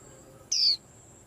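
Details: White-eye causing a commotion: one thin, high whistled note sliding downward, lasting about a quarter second, over a faint steady hiss.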